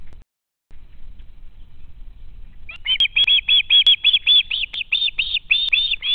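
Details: Young osprey at its home nest in Estonia, screaming to be fed after spotting a parent: after near-silence, a run of shrill, piercing, rapidly repeated squeals about seven per second fills the second half.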